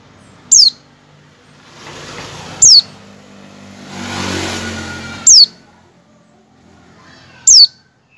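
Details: Oriental white-eye repeated calls, used as a lure to get white-eyes to start singing, are thin, very high, downslurred single notes every two to three seconds, over low passing traffic.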